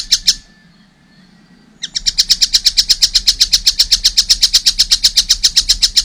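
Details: Young collared kingfisher: a few harsh notes, a quiet pause, then a steady, fast run of about four grating notes per second to the end.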